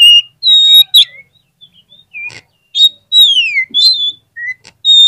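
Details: Oriental magpie-robin song played as a lure to prompt lazy birds to sing quickly: clear, loud whistled notes, sweeping downward slurs and short twittering bursts separated by brief pauses, with a quiet background.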